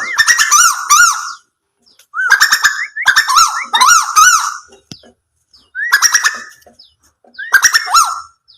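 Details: Nightjar giving repeated short phrases of rasping, rich, wavering notes with sharp clicks, each burst lasting about a second, with quiet gaps between phrases.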